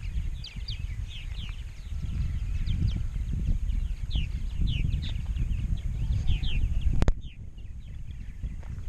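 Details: Large purple martin colony at Rainsville, Alabama, with 920-930 pairs reported in 2016: a chorus of many chirping, gurgling birds, a sharp click near the end, and steady low background rumble.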